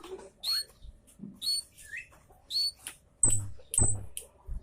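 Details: Javan munia lure chirps, high and piercing, with slurred 'citt' notes spaced irregularly, plus occasional dull knocks underneath.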